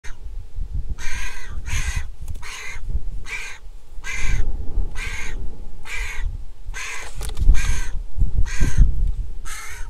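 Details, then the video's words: Griffon vulture chick at a nest in Israel, hatched 22 April 2021, begging at feeding time on 23 July 2021: about thirteen harsh, rasping calls in quick succession, roughly one every 0.7 seconds, over low rumbling background noise. "Lunchtime for the baby vulture| Griffon Vulture Nest Israel CAM נשר"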